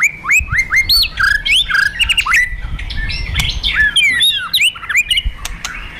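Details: White-rumped shama fighter bird, with rattles and rapid-fire phrases meant to provoke aggression: a dense, varied stream of quick whistled and slurred notes, rising and falling, over constant low background noise.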